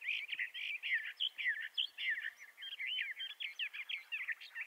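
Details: Bendire's thrasher, from the southwestern United States and northwestern Mexico, delivering a rapid, rambling warble of rising and falling slurred notes, steady and unbroken, with a clean quiet background.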